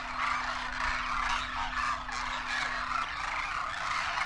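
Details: Hundreds of migratory Demoiselle Cranes wintering at Kheechan village, Rajasthan, north India, foraging and sunning near a waterhole in dry landscape: a dense, continuous chorus of overlapping rolling, trumpeting calls, with a steady low mechanical hum beneath.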